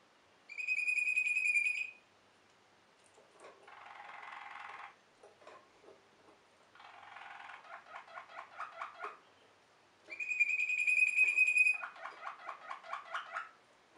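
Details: Waterslager (Malinois) canary song: a sustained bright whistled tone, then soft rattling and bubbling trill tours, and the whistled tone again, followed by more rhythmic rolling notes.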